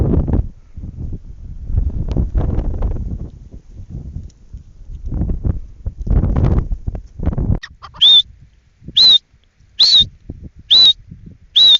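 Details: Grey francolin, called teetar, giving loud repeated high calls about once a second in the final four seconds, after a stretch of low rumbling and knocking noise.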